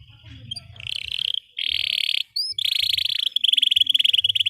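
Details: Canary singing long and steadily, offered as a tutor song for young canaries learning to sing: buzzy rapid trills, a brief rising whistle, then a fast rattling roll of even clicks, with faint low rumble beneath.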